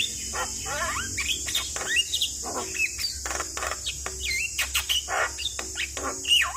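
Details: Chatty song of a Javan myna, used as a prompt for a stressed bird: looping whistled notes that rise and bend, mixed with sharp clicks and harsh bursts, steady high hiss behind.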